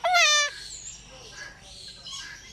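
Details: Cockatoo calling out its own name: one loud, harmonic, slightly falling squawked utterance of about half a second, then faint high chirps and twitters in the background.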